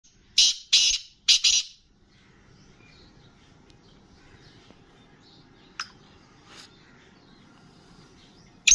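Black francolin giving three loud, harsh, grating notes in quick succession, then quiet with a couple of faint clicks.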